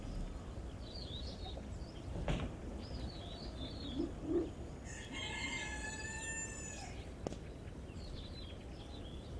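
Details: Rooster in a natural habitat crowing once, a strained, rasping cock-a-doodle-doo lasting about two seconds mid-recording, with sharp knocks and clicks, light bird chirping and steady low-frequency background noise.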